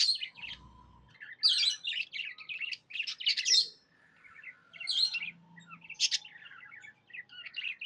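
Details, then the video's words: Budgerigar in a happy mood, chattering in rapid scratchy warbles and sharp chirps, with a low thump early on and faint murmuring beneath. "Happy budgie chirping sounds"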